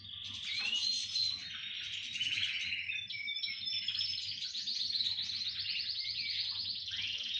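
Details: A canary chorus: overlapping bright whistles, quick pulsed trills and rolling chatter sung without pause, bird voices layered densely together at high pitch.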